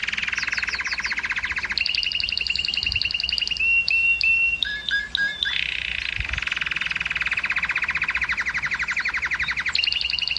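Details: Canary singing to excite females toward breeding: long pulsed rattling trills at a lower pitch, broken around the middle by a few clear whistled notes, then the rattle resumes.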